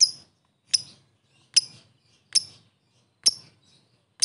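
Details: Fighter lovebird ngetik lure call: single sharp, high ticks spaced almost a second apart, each clean and brief, with silence between.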